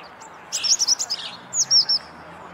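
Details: European robin in full song on a corkscrew hazel bush in the Flower Walk gives two short, very high, thin warbling phrases, quick and twittering, separated by a brief pause in a quiet setting.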